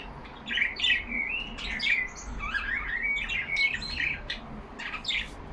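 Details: Pet budgies talking among themselves in a cage, producing drawn-out warbled whistles that glide up and down, mixed with harsh squawks and scratchy notes.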